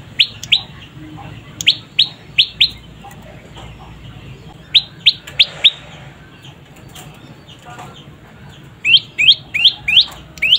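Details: Juvenile prinia, known locally as prenjak lumut or prenjak pyeng, giving bursts of short, sharply rising chirps in quick pairs and triples, separated by pauses, with a faint rustle in the background.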